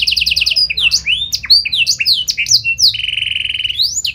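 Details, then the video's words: Canary in full song with a special style that gets other canaries singing: a rapid pulsed trill, a string of loud rising and falling whistled slurs, then a steady buzzing roll ending in an upslur. "Burung Kenari Gacor Nembak Joss Cengkok Istimewa! Buat Kenari Lain Langsung Nyaut Gak Pake Lama"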